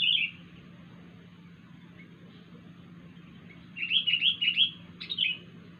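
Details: A wild sooty-headed bulbul giving a strange call: a brief chirp opening, long silence, then a quick run of four bubbly falling notes followed by a sharper dropping whistle; steady low hum beneath.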